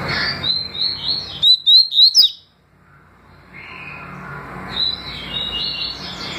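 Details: Double-collared seedeater, song styles called tui tui and deputado: a quick run of sharp, high whistled notes, slurred up and down, lasting under a second, between stretches of hissing background noise.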